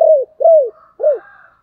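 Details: Decoy spotted dove calling: three mellow, slightly down-slurred coos about half a second apart, the last trailing off into quieter soft notes, with a silent background.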